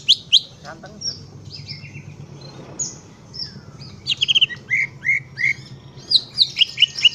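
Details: A greater green leafbird delivers scattered high chirps, then a lively string of short whistled slurs and buzzy notes toward the end, over a steady low droning hum.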